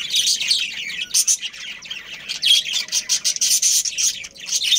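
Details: Budgerigars, a breeding pair of Australian parrots among family birds, chatter steadily in high, buzzy chirps and rapid twitters. Short pulses of sound repeat throughout.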